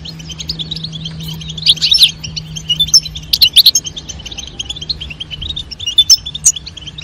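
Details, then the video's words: European goldfinch, female call and male song for stimulating mating; busy high-pitched twittering with tinkling bursts around two and three and a half seconds, steady chatter of other small birds beneath. "نذاء أنثى الحسون وتغريد الذكر لتزاوج La llamada del jilguero hembra y el canto del macho"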